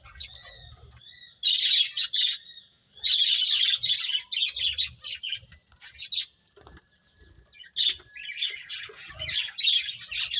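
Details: Finches chirp while eating, loud bursts of quick, high twittering separated by quieter stretches, with light flutters and small knocks between calls.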